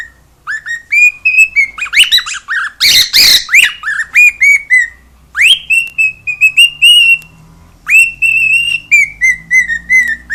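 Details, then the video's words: Pet cockatiel at home, singing and making a lot of noise: a long run of bright whistled notes, many slurring upward then holding, broken by a harsh broadband screech burst near the middle. "CALOPSITA(KIKO) CANTANDO E FAZENDO BARULHO!"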